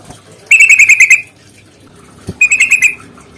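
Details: Yellow-vented bulbul, long rapid 'ropel' fighting chatter used as a lure to make other bulbuls sing: two short bursts of fast, evenly repeated buzzy notes, each under a second, separated by a pause with a single click.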